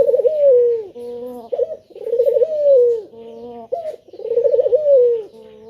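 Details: A male spotted dove sings its lure call to prompt other doves to respond. It gives regular, mellow cooing phrases, each a trembling rise and a smooth falling coo followed by a softer low note, repeated three times.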